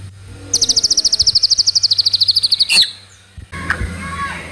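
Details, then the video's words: White-rumped shama trotol song used as a lure to make another bird sing quickly: a rapid machine-gun trill of about thirty high, evenly spaced notes, ending in a loud burst, followed by softer chirps. "PANCINGAN MURAI BATU TROTOL AGAR CEPAT BUNYI GACOR"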